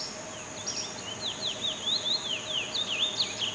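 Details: Chestnut-bellied seed-finch, known locally as curió, singing a continuous run of high, sweet whistled notes that slide up and down in quick loops, with a faint steady hiss in the background.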